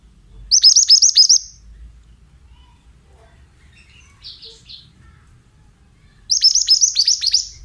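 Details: Oriental magpie-robin, a male of the mountain type, singing a bright high burst of six or seven quick downward-sliding notes, repeated about six seconds later, with a soft chirp between phrases over quiet background.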